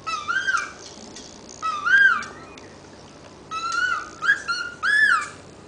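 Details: A pet cockatiel at home gives a few clear, rich whistles, each rising and then falling in pitch; it loves to whistle while a housemate is bathing.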